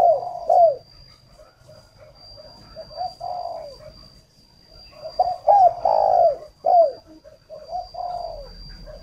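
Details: Decoy spotted dove in northern Vietnam cooing to lure birds: three separate low phrases, each of short clipped notes building to hooked and long falling coos, with quieter stretches between. A thin continuous high-pitched whine is also present.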